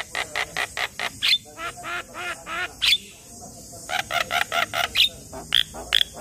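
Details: A young Javan myna, busy singing through the day, gives a stream of scratchy chattering notes broken by a short high whistle, then resumes quick rasping chips and thin piping calls.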